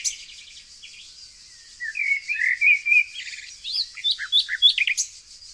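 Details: Nightingale singing in the Tonekabon forests of Mazandaran, northern Iran; a soft warbled whistling phrase builds, then breaks into a quick sequence of sharp repeated notes, over continuous faint high birdsong.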